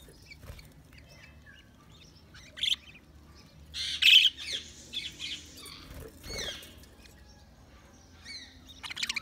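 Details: Budgerigars chirping: scattered short chirps and one sharper squawk-like burst stand out among quieter twittering chatter, with some low room noise.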